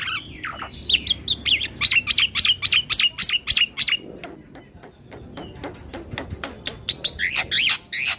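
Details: Jalak putih rolling song meant to provoke other starlings: a rapid burst of sharp chips and whistles, a quieter pause with scattered clicks, then another lively flurry of notes.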